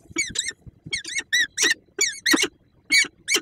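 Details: Squealing, rising-falling whining notes, often in quick pairs, from a peregrine falcon at its Słupsk, Poland nest on 5 April 2022, around a left prey gift and meeting with its mate.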